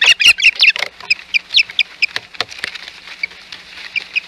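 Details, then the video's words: Osprey calling at the Hog Island nest on 11 May 2021 amid intruding ospreys: a fast string of high piping chirps, loud at first, then fading into softer, quicker notes. "Intruding Ospreys"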